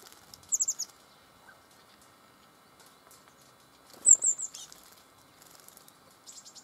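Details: Red crossbills with bramblings in the Eifel at Dohr on 24 October 2015: two short bursts of sharp, very high chipping notes, quickly repeated, about three seconds apart, then softer chips near the end over a quiet background.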